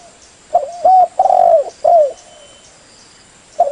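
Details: Spotted dove call used for luring birds: a loud close phrase of low hollow coos, a short note, a longer one, a long drawn-out coo and a falling final note, then a pause before the next phrase begins; steady high hum behind.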